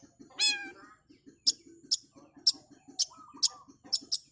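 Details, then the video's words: Long-tailed shrike giving one loud rasping nasal note, then sharp high clicks repeated about every half second, backed by a regular low pulsing beat. "Cendet Super Speed, kuat kaya werkudoro oreo masteran burung kicau gacor dor rool speed"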